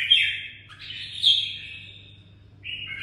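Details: Red-whiskered bulbul, a kept songbird from Đồng Nai, singing short warbled phrases that slide between mid and high pitch, with a longer wavering note and a pause before a final phrase, over a faint low hum.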